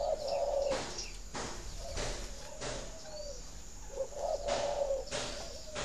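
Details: Spotted dove coos used to encourage captive breeding doves to lay: low, warbling coo phrases at the start, middle and end, broken by sharp clattering bursts of noise.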